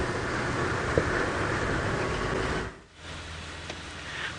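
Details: Rain patters over a running vehicle's hum, with a brief dip in sound midway and no animal voice.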